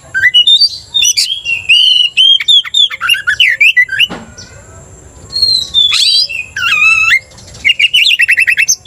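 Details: Oriental magpie-robin in a cage, provoked to aggression by another bird's song, sings loud varied whistles and chips, pauses, then adds a looping whistle and a rapid rattling trill.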